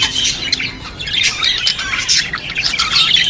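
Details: Budgerigar song to encourage budgies: a short, unbroken stream of buzzy, squawky warbling with high twittering layered on top.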